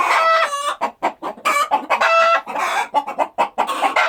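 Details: Chickens on a rural farm clucking busily: loud, crowded bursts of clucks and drawn-out, slightly wavering squawks overlapping with little pause between them.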